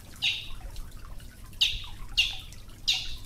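A Brazilian tanager gives four short, bright, sharp notes spaced unevenly over three seconds, over a low background rumble.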